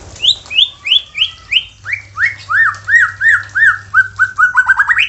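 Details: White-rumped shama song used to prompt other shamas to sing: a regular series of arched, slurred whistles, about three a second, speeding into rapid rising notes at the end.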